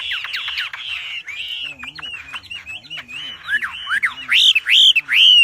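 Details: Wambi giving a loud, vigorous training song: slurred and buzzy notes, then repeated steeply rising whistles about twice a second, growing louder toward the end.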